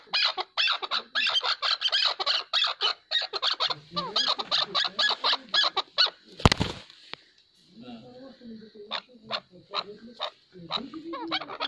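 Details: Chukar partridge giving fast, rough, repeated chattering notes, with lower clucks in between. A loud thump breaks in midway, and after it the calling continues more sparsely over a faint hum.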